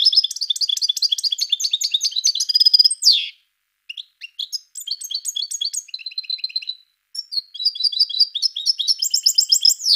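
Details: European goldfinch singing, rapid tinkling twittering phrases with liquid trills and a quick downward slur, broken by short pauses, clear and free of other sounds.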